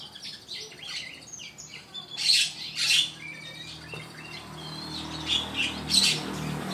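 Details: Captive Oriental magpie-robin (Copsychus saularis) singing again melodiously at midday: a varied run of clear high whistles, slurred notes and harsh squawky phrases over a faint low hum.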